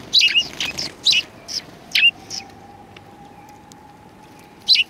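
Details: Sparrows gathering to be fed at a Tenmangu shrine on 7 February 2020. A quick run of bright, high chirps fills the first two seconds, followed by a pause with a faint steady hum, then one more chirp.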